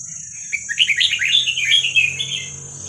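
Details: Young wild Vietnamese red-whiskered bulbul, played for training young birds: a quick run of chirpy, warbled notes rising and falling for about two seconds, over a steady high-pitched whine and a faint low hum.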